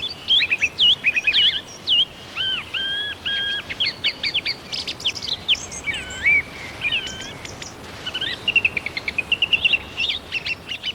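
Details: A single song thrush in Ayrshire woodland sings loud, varied whistled and chattering phrases, several repeated two or three times, ending in a quick run of sharp repeated notes. It is answering another song thrush in the distance and keeps going as long as that one does. Faint hiss.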